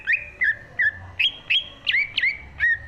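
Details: Green leafbird in full song, used as a master recording for training pet songbirds: clear whistled notes slurring down around the same pitch, about every half second, some with sharp upward flicks, over faint low hum.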